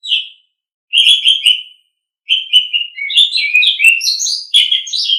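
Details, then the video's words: Asian pied starling song used as a training recording for caged songbirds: a short high note, then a burst of slurred whistles, silence, and a jumbled run of rising and falling chattering whistles. "Suara Burung Jalak Suren"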